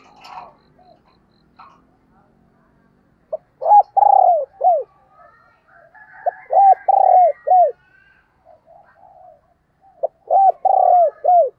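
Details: Decoy spotted dove calling to lure wild doves; three loud, low cooing phrases, each a short note, a long throbbing coo and a hooked falling note, separated by pauses, with faint softer sounds between.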